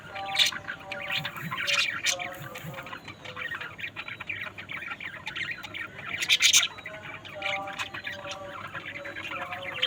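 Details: Budgerigars chatter nonstop, mixing harsh squawks, high chirps and some lower nasal, harmonic calls, with louder outbursts at intervals.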